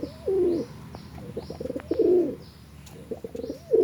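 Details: Domestic pigeon cooing: low, throaty rolling coos, each about half a second, rising then falling slightly. The phrases are separated by short gaps filled with soft clicking and scuffling sounds.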